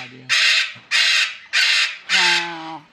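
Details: A captive medium Sulphur-crested Cockatoo, kept indoors with other pet cockatoos, gives four harsh, raspy screeches in quick succession, each about half a second long, with a faint human voice in the background.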